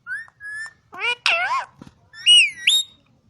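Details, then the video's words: Green ring-necked parakeet in Quetta, talking: a short pair of flat whistles, then a burst of warbling, speech-like syllables sweeping up and down, ending in two bright rising whistled phrases; quiet background. "green ring neck talking parrot"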